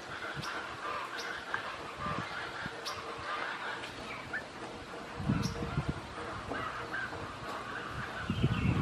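Toco toucan giving hoarse, croaking, honk-like calls in a steady series, with low rumbling and knocking noises underneath.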